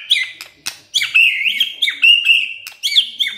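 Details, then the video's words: White-rumped shama singing in the morning, used to provoke a silent shama into song: rich whistled phrases around a steady middle pitch, broken by sharp clicking notes in quick succession. "Pancingan PAGI-PAGI AGAR MURAI GACOR❗ murai diam pasti ikut NYAUT EMOSI❗❗"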